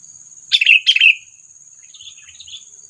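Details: Lure call of a sooty-headed bulbul for trapping, to provoke predators: two quick bubbly downslurred chirps, then faint soft notes, with a thin constant high hiss throughout.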